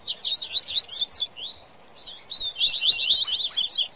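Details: Double-collared seedeater, called coleiro, in baderna song: a quick burst of high scratchy notes, a brief near-silent pause, then a single slur and a renewed rapid twittering phrase.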